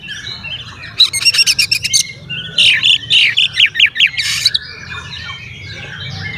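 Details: Oriental magpie-robin song for agitating other magpie-robins: a rapid harsh chatter, then a run of loud, hoarse, downslurred squawky notes about four a second, ending in a bright burst and fading quiet twitters.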